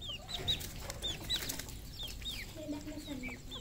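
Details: Farmed red junglefowl in Cambodia, several birds calling: a dense series of thin, falling whistled peeps overlapping with low drawn-out clucks, amid a constant low hum.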